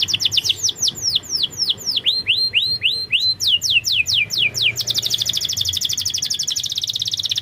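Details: Canary lure song meant to prompt a reluctant bird to sing: fast series of downward-sweeping whistled notes, then a rapid buzzy trill of very quick repeated notes, bright and high-pitched throughout.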